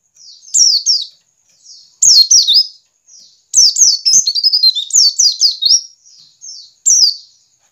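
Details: White-eye giving ngiriwik-style song to draw caged white-eyes into singing; scattered groups of thin, high, falling chirps, with one longer twittering run in the middle.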